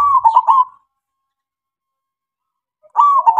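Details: Local zebra dove (perkutut lokal) with a loud lure song meant to provoke other doves: one rolling, stuttered coo phrase, a long silence, then the next phrase beginning.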